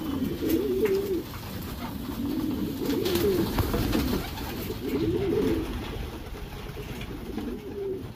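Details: Racing Homer pigeons in a breeding section, repeated rolling coos in bursts about every two seconds, low and throaty, with steady background noise.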